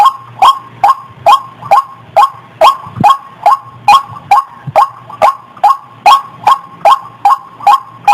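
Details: White-breasted waterhen lure call (ruak-ruak) for drawing birds out of bushes: a steady train of short, rising notes, about two and a half per second, over a faint low hum.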